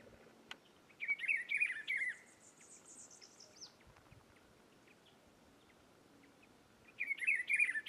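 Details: Wild Rufous-browed peppershrike (Cyclarhis gujanensis) in Rio Grande do Norte, Brazil, delivering its loud, melodious warbled phrase twice, about six seconds apart, with quieter high twitters between.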